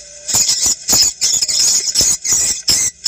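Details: Swiftlet sound used to attract birds when checking a location, played from a phone or portable speaker. A faint tone opens, then several shrill, scratchy twitters follow in uneven bursts of about a third of a second.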